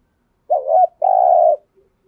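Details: Decoy spotted dove calling to draw in wild doves, in the thúc gù cooing style: a wavering, rising coo followed by a sustained, steady, slightly throbbing hoot, with faint low notes trailing after.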